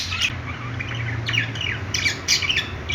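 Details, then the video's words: Pet budgerigars playing, giving a busy string of short, high, squawky chirps and scratchy warbled notes in irregular bursts, with clusters near the start, middle and end, over a steady low hum. "budgies playing sounds | parakeet chirping sounds"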